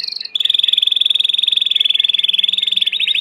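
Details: Belgian canary song: a short high note, then one long even trill of rapid pulses holding steady, ending in quicker rising notes; a faint low hum runs underneath.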